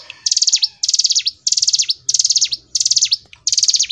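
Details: Hill prinia in gacor ngebren song: six quick bursts of dense high trilled notes, each closing with a falling swoop, repeated steadily with short pauses between.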